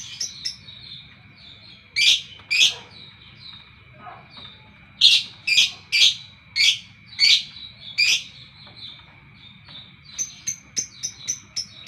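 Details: Lovebird in the morning giving scattered loud, squeaky chirps, some paired, with pauses between, ending in a quick run of short thin ticks; a faint constant whine runs underneath.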